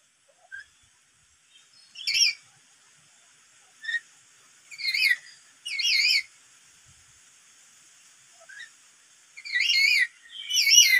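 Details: Black-capped lory provoked by a lure call. Several warbling calls sweep up and down, some of them shrill, others softer short notes, at irregular intervals over a faint steady hiss.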